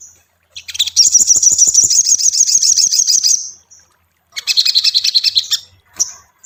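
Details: Lure recording of ashy tailorbird song for training a kept bird to sing sooner: a long, fast, high-pitched rattling trill of sharp ticks, a pause, then a second shorter burst and a final chip.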